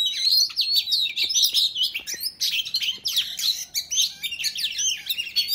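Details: Singing Oriental magpie-robin giving its fighting song to goad rival males, a dense rush of sliding whistles, twangy slurs and scratchy notes crowded into fast bursts.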